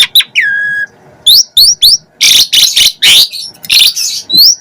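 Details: Energetic Asian pied starling song opening with a long falling whistle, followed by quick upslurred whistles and loud harsh, grating bursts in a busy, fluctuating sequence.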